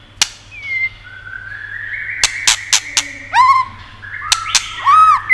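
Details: White-rumped shama song played to excite other shamas: sparse clear whistles, some slurred and arched, with a few loud sharp clicks spaced between them.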